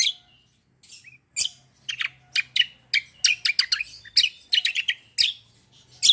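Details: Black-winged myna singing in a fighting, rolling style: dense, harsh, scratchy chirps in quick irregular succession, with a few short whistled notes and a faint low hum.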